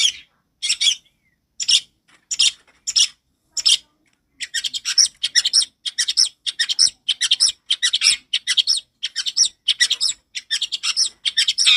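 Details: Long-tailed shrike song, loud and clear, used as a lure for young birds in training: several spaced harsh bursts, then a dense, steady run of scratchy chattering phrases with no other sounds.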